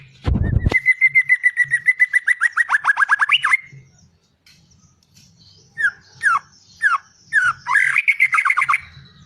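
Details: White-rumped shama singing: a loud run of rapid, evenly repeated chattering notes that speed into a slurred trill. A short pause follows, then separate downslurred whistles and a burst of quick twittering. A faint low hum runs underneath.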